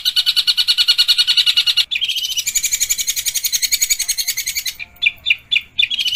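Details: Pentet (long-tailed shrike) training song with harsh fast bursts: dense rhythmic chattering for two seconds, then a higher rasping trill, ending in separate sharp chips spaced about a quarter second apart.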